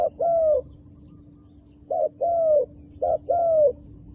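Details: A wild dove utters paired coos, each a clipped hoot then a longer note that drops in pitch. Three pairs come at uneven gaps, over a faint constant hum.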